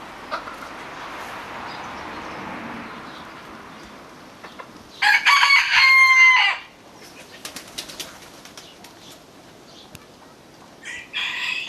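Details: A rooster in Normandy, France, on a sunny but cold day lets out a single loud, hoarse crow under two seconds, answering a neighbouring cockerel. The owner believes it passes on a warning about rooks or jackdaws flying over. Scattered clicks and rustles follow.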